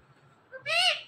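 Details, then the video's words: Pet parrot talking: a short, high, nasal word-like utterance, a faint brief note followed by a rising-then-falling voiced syllable under half a second long, over a quiet low hum. "Gor Awarded This Parrot With Best Talking"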